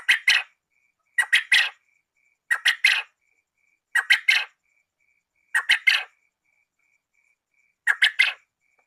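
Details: Quail, male and female, calling as a lure for trapping: six bursts of rasping, quick three-note calls spaced one to two seconds apart, with a faint steady high whistle between them.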